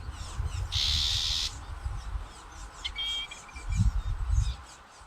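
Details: Black-capped vireo (Vireo atricapilla) nesting at Fort Hood, Texas, in the 2021 breeding season gives a female's harsh "shrad" call, used to attract her mate, signal incubation switches and ward off predators: a single raspy burst, then a few thin whistled notes, over low rumble.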